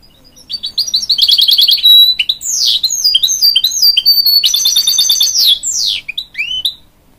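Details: A goldfinch-canary hybrid sings to encourage young chicks, opening with a fast, ringing trill, then sweeping whistles and dense buzzy rattles in an unbroken, energetic high-pitched stream.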